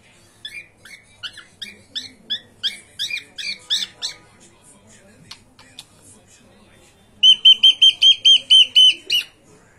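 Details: Pet cockatiels at play give a rapid series of short chirps about every third of a second, then after a pause a loud, steady run of eight clear, even whistled notes.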